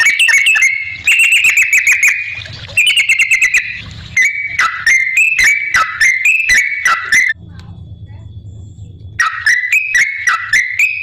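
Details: Yellow-vented bulbul singing energetically as a lure to prompt other bulbuls to answer: bubbly whistled phrases around mid pitch, rapid and varied, with sharp clicking ticks throughout and a brief quieter pause midway.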